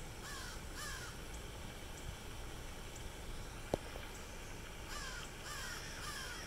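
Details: Crows by a fountain at a university campus, Hilton Head Island, South Carolina: two hoarse caws, a pause with a sharp click, then three more caws, over continuous water rush.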